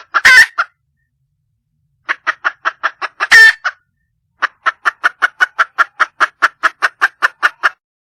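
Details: Female red junglefowl calling for a mate: a harsh squawk, a run of six clipped clucks, a second squawk, then a long steady series of about eighteen short clucks at a brisk, even pace.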